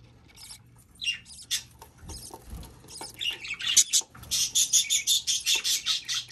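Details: Budgerigar hatchling peeping: faint scattered squeaks that build into a steady run of high, breathy cheeps about three per second, over light rustling.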